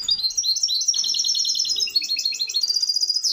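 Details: Misto hybrid canary training song for young birds: a continuous loud run of quick high repeated notes, shifting pitch into rolling twittering trills.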